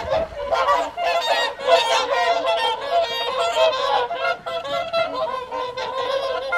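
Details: A flock of whooper swans calling during the evening feed at the Folly Pond, WWT Caerlaverock, in January 2023. Loud, overlapping nasal trumpeting honks come in rapid bursts with little pause throughout.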